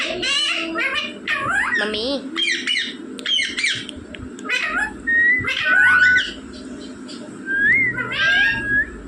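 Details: Rose-ringed parakeet that talks, known for saying mummy and papa, giving a busy string of harmonic speech-like syllables, short chatters and clear whistled slurs, repeated in uneven bursts.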